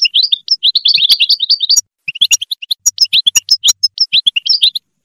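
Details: European goldfinch song meant to motivate other goldfinches: a fluent twittering run, a short pause, then choppier liquid chirps mixed with sharp clicking ticks.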